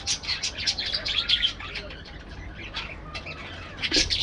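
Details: Parakeets in an aviary chatter in a busy run of rapid, high chirps and squeaky warbles, with short trills and a faint coo in the background.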